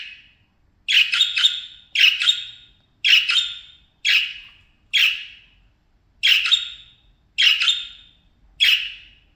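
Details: Several parakeets at play time chatter in harsh, scratchy chirps in short bursts about every second, some doubled, high-pitched and buzzy with brief pauses between them.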